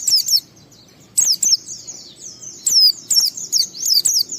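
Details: High-pitched white-eye song for luring other pleci to sing: clusters of sharp, descending twittered notes at irregular intervals, separated by quiet pauses.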